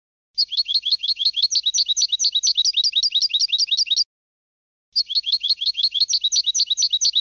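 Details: Goldfinch delivering two long bursts of rapid, sharp twittering notes, each lasting several seconds and separated by a brief silent gap, evenly loud throughout.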